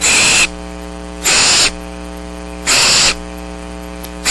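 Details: Barn owl chicks, seven still-downy young at Starr Ranch on 6 March 2010, wait for food on a rainy night, giving harsh, rasping half-second hisses about every one and a half seconds over a steady electrical hum.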